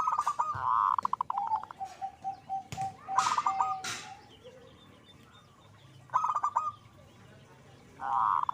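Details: Zebra dove in lively song: four short bursts of quick, rolling coos, one stretched into a steady held tone, with sharp knocks and clicks between phrases.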